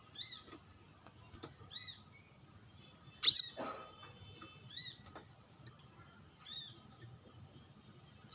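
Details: Brown-throated sunbird calling while sunbathing among wild birds: soft high arched notes spaced about every one and a half seconds, with one louder sharp chirp, over a faint low murmur.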